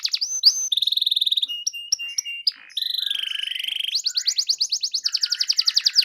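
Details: Canary singing a varied song meant to provoke a silent canary into answering: short sharp notes and clicks, a steady buzzy roll, then loud fast trills of rapidly repeated chirps.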